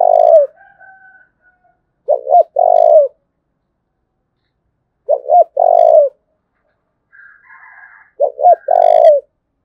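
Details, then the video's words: Spotted dove from Đồng Nai, Vietnam, giving the thúc bổi style of calling: three low cooing phrases about three seconds apart, each two short rising notes then a longer drawn-out coo, with a faint higher crowing-like sound between. "Cu Gáy Đồng Nai Đang Thúc Hay Nhất, tiếng cu gáy thúc bổi mới"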